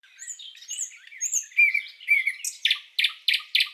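A common nightingale sings a rich, varied phrase: thin high whistles and liquid warbles, then a burst of harsh, rapid repeated notes about three per second.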